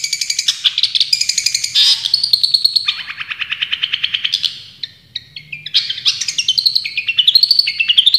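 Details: Champion Long-tailed shrike singing a song full of tembakan: rapid, high, varied phrases of buzzy trills, sharp chips and rising whistles that shift pitch every second or two, with a brief pause near five seconds.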